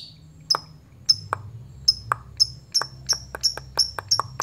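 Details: Lovebird performing ngepyak, calling to lure rival fighters: a quickening series of short, sharp, high chips, each with a lower click, speeding up from about two to four per second.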